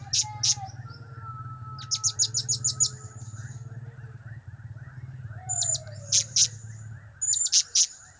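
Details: Blue-crowned hanging parrot calling loudly, cap, kiak and crap types. Piercing high bursts come in pairs and in a fast run of six, with a thin sliding whistle, a low steady hum and softer chirps behind.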